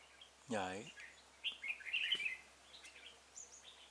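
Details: Red-whiskered bulbul used as a decoy to lure wild birds into a trap, 26 February 2018; a brief run of bright chirped notes after a low voice-like sound, with faint hiss in the background.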